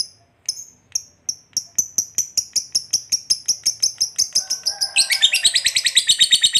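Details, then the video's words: Lovebird giving ngekek panjang, a long trill meant to draw other lovebirds into song. Sharp chirps come faster and faster, building into a dense, shrill, rattling trill. "Lovebird Gacor Ngekek Panjang Ini AMPUH Memancing Lovebird apapun Jadi Fighter dan Rajin Bunyi"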